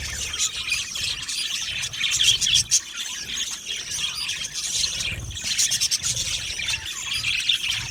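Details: Many budgerigars in an aviary colony chirping and singing, thin high tweets and warbled phrases layered into constant chatter, slightly louder bursts near the middle and end.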